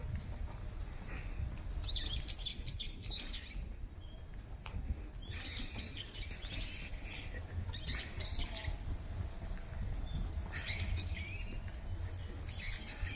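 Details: Brown-eared bulbuls flitting around fully blossomed cherry trees, calling in clustered bursts of rapid, shrill, chattering chirps separated by short pauses, over faint low ambient noise.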